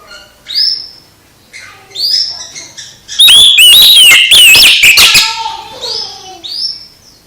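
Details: Oriental magpie-robin song meant to spur another magpie-robin into singing again; scattered clear rising whistles, then a loud dense burst of warbling, rasping and whistled notes in the middle, fading back to soft whistles.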